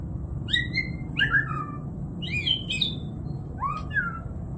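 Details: White-rumped shama singing: clear whistled notes, some rising and some falling, in short phrases with brief gaps, against a low steady background hum.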